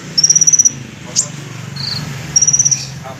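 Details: Olive-backed sunbird giving two brief, very high, even trills about two seconds apart, fighter style, with a soft click and a low murmur in between.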